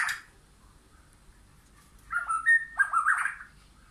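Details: White-rumped shama in a backyard forest where wild and caged birds meet: after a short high note and a pause, a clear whistled phrase of slurred, varied notes and a rising flourish.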